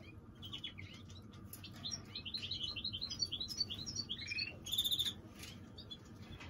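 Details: Greenfinch mule (hybrid) singing: rapid high twittering chirps and short sweeping notes that build to a loud buzzy rattling trill near the end, over a steady low background hum.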